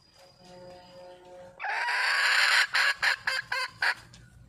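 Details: Red junglefowl calling for a mate: faint steady tonal lines at first, then a loud harsh burst followed by five short clipped clucking notes in quick succession.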